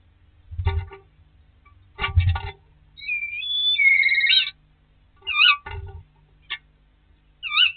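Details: Common starlings disputing a nest site on a snowy day, 22 March 2019: short rattling bursts, then a long clear whistle that rises and falls, followed by quick looping whistled notes, with low thuds between the calls.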